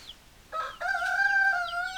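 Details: Rooster crowing: after a short rough opening note, a loud, drawn-out, strongly tonal crow is held steadily for over a second. Thin high chirps from other birds sound faintly in the background.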